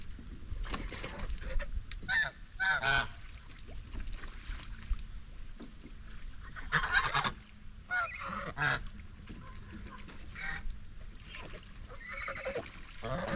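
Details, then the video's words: Farm flock of domestic White Chinese geese, bathing and grazing; scattered brief nasal honks at irregular intervals, a few overlapping, set against steady low background rumble. "Eight Minutes of Natural Farm Sounds | White Chinese Geese"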